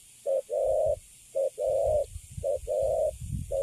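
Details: Caged spotted dove, described as a Cấn Sấm bird that stays calm once caged, gives soft hooting coos. Each phrase is a brief note followed by a drawn-out one, about once a second, over faint low rumble.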